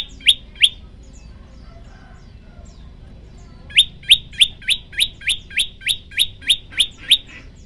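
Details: A prinia, the prenjak lumut, opens with two isolated chirps, then after a pause launches a rapid, regular series of about a dozen bright rising chirps. The recording is meant as tutor audio for cage birds.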